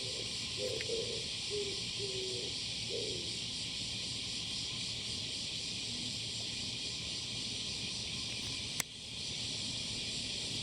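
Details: Male Oriental turtle dove calling on 21 July 2022, recorded at close range: a short phrase of about five low, soft hooting coos over three seconds, then quiet, beneath a loud, steady, high insect drone throughout, with one sharp click near the end.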